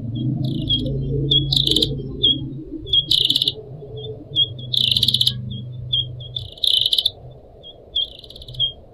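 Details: Caged Pied Triller on a training recording with trickling water: short high whistles alternating with loud buzzy rattling trills about every two seconds, over a low humming background.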